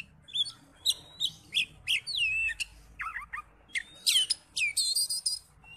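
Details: Oriental magpie-robin male in fighting mode, provoking other males; short whistled notes and sharp chirps repeated in quick succession, then a burst of loud buzzy, harsh rattling phrases near the end, low background hum.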